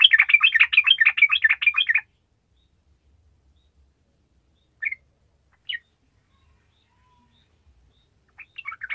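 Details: Sooty-headed bulbul in a gacor burst meant to rouse idle bulbuls: two seconds of dense rapid chattering notes, then near silence broken by a couple of brief notes and a faint chatter at the end.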